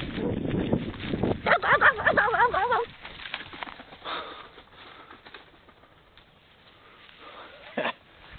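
A turkey gives a rapid, wavering, gurgling gobble lasting about a second, after a person speaks briefly. Quiet outdoor background follows.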